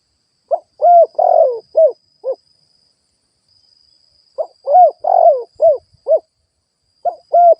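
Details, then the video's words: Spotted dove used as a ground lure bird, cooing: two phrases, each a quick note, two rounded coos, a long burry falling coo and two short coos, separated by a pause, over a faint steady high whine. "Tiếng chim cu gáy kích boi"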